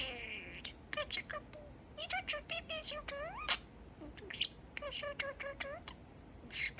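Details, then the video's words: Pet male budgie chattering indoors, mimicking words including 'Peek-e-boo'; dense run of clipped speech-like notes and rising glides, a brief whistled tone at the start, with scratchy warble bursts throughout. "Talking Parakeet"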